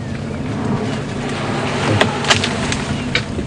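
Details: Steady engine rumble and wind from a safari drive vehicle, with a few sharp clicks and knocks near the middle and end and no clear animal voice.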